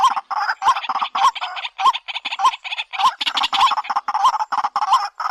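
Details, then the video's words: White-breasted waterhen giving loud, grating croaks mixed with brief upturned whistles, delivered in an uneven, jumbled series with little pause between notes. "Dak pakhi sound very nice"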